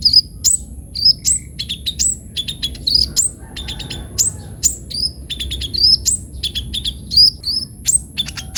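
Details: Kolibri ninja sunbird in busy, full song: rapid high chirps, sweeping slurred notes and clipped ticks tumbling almost continuously, with a steady thin high tone behind them.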